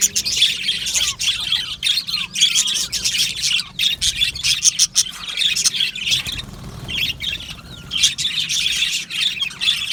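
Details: Budgie colony in an aviary: bursts of high chattering and squawky chirps from many birds, broken by short lulls of a second or so, with a low background rumble.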